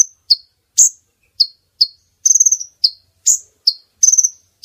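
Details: Female brown-throated sunbird lure call meant to draw males close for capture; a quick series of high, piercing chirps with occasional fast rattling trills, repeated steadily.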